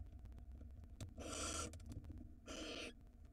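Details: Nest-box barn owl in Israel during the 2022 breeding season, large rodent nearby: two rasping, breathy hisses, each roughly half a second, separated by a short gap, with low electrical hum beneath.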